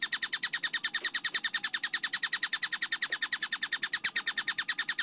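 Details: Kingfisher (tengkek buto) giving a fast, clean series of sharp, high, rasping notes, about eight per second, evenly spaced, with a few soft low knocks in the background.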